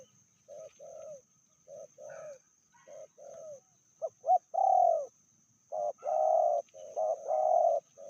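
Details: Spotted dove, Indonesia, medium-voiced bird from a pair with a fiercer female. Quiet double coos build into louder purring coos, some with a falling tail and brief sharp notes between phrases.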